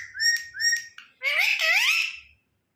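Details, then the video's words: A pet parrot at feeding time gives two short, clear whistles, then one long, harsh, wavering squawk that fades away into silence. "parrot talking| parrot sound"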